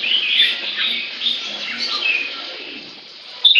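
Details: Captive white-rumped shama, tail close to eight inches, singing loudly with sweet whistled notes, slurred rising and falling phrases and soft twitters, fading near the end before a sudden sharp note.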